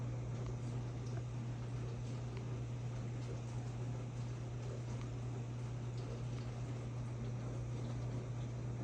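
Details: A steady low electrical hum runs under dense broadband indoor noise, with no clear animal voice.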